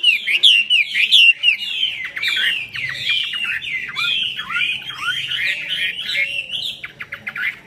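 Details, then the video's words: Chinese hwamei in full song, tail spread and wings raised in eagle-wing display; a continuous, varied stream of rich slurred whistles, trills and downward swoops, loud and unbroken throughout. "chim họa mi hót xòe"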